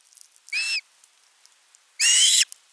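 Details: Nestling osprey calling for fish on 10 August 2021 at a live-streamed nest. Two shrill, arched screams about a second and a half apart, the second longer and harsher.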